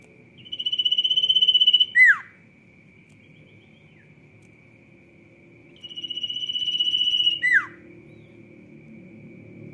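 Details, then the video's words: A Sirtu in full song gives a rapid, buzzy trill that holds steady for about a second and a half and ends in a sharp downward whistle. It repeats this twice over a faint steady tone. "SIRTU GACOR"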